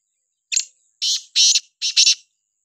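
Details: Black francolin calling, dated 2/9/2023: a short series of four harsh, scratchy, grating bursts, the last two doubled, spaced roughly half a second apart against an otherwise silent background.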